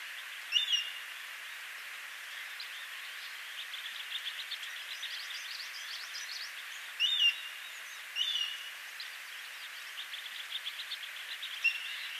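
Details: Altai accentor near Tungnath Temple, Uttarakhand, India, at about 3500 m: four brief, high chirping calls spaced unevenly over twelve seconds, over a steady bright hiss of running water or wind.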